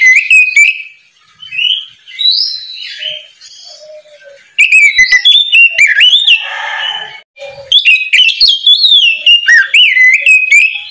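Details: Oriental magpie-robin's loud ngeplong morning song, meant to get beginner magpie-robins singing. Long sequences of varied whistles, trills and quick chips, with brief quieter pauses and a harsh, noisy note in the middle.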